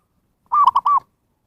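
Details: Zebra dove call played to lure wild birds, a single quick phrase of four short, bright arched coos run together in under half a second, with nothing else audible.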